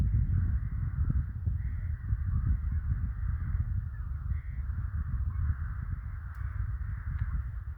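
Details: Loud, continuous cawing of numerous crows in a village in winter, a thick grating chorus with no pauses, over strong deep rumbling background noise.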